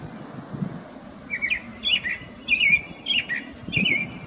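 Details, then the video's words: Male Brown-headed Cowbird in Desbarats, Ontario, about 10 m away, singing to and chasing a female, unsuccessfully: a burst of thin, liquid chirps and squeaky whistles about every half second over a low rumble. "Cowbird Singing and Chasing Mate"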